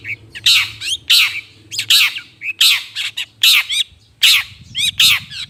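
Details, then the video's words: Harsh scolding from a long-tailed shrike, recorded as a bird lure: raspy, buzzy squawks roughly 75 per minute with little follow-up chips, over a faint low hum and some background rustle. "Suara. Pikat burung cendet ampuh"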